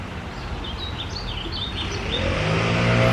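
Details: Mystery warbler, June 14, delivering a rapid series of thin, high, slurred chips and trills, while a passing vehicle's droning hum grows louder toward the end.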